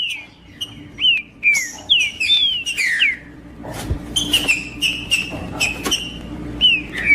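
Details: Song of a green-winged saltator, used to heat up and provoke another male: a run of rich downward-slurred whistles, then sharper clipped notes and higher chirps in quick succession, ending with more slurred whistles.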